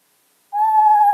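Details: Eastern Screech-Owl, North Carolina's smallest owl, heard in woods at night: a clear, steady, mid-pitched note likened to a horse's whinny, held for under a second after a pause, then cut off abruptly.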